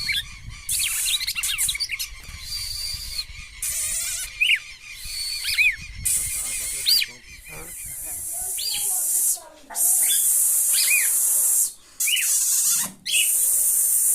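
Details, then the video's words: Red-cowled cardinal from northeastern Brazil singing short, sharp, upslurred whistled phrases repeated every second or so. A steady loud hiss comes and goes, and a man speaks briefly. "galo de campina fogoso"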